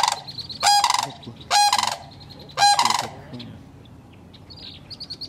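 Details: At a crane nest in Kettle Moraine, Wisconsin, three loud rolling, rattling calls come close together in the first three seconds, followed by quieter background with faint high chirps from small birds.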